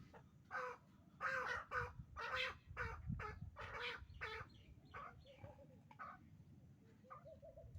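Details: A pair of captive hybrid partridges kept for breeding gives harsh, raspy calls in short bursts roughly once a second, some bursts louder and grouped, with quieter clucking notes toward the end.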